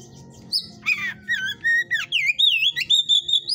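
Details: Caged white-rumped shama, hot type, at a breeder's pen, delivering a fast run of loud, clear whistled notes that rise and fall in loops after an opening harsh rasp.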